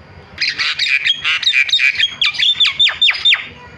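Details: Starling call used to draw calls from reluctant starlings: fast burst of harsh chattering notes that gives way to a string of sharp descending whistled strokes, about a dozen in under three seconds.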